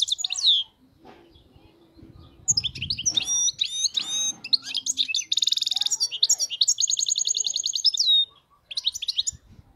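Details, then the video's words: European goldfinch, wild type, singing a flawless song: a sharp opening note, then varied twittering phrases, a long buzzy rattle and a rapid liquid trill, with some low background noise. "حسون خلوي خالي من الأخطاء"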